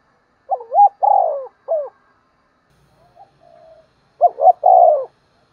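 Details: Morning cooing of a decoy spotted dove calling to draw in wild birds. Two hoarse three-part phrases, a short coo, a drawn-out croo and a clipped ending. A soft, faint coo sounds in the pause between them.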